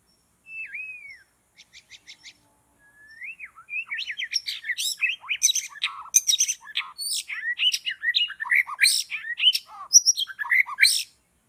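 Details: Wild white-rumped shama in forest where birds are being trapped: a quiet whistled note and soft ticking rattles open, then a long, loud, rapid jumble of sharp varied notes and chattering phrases.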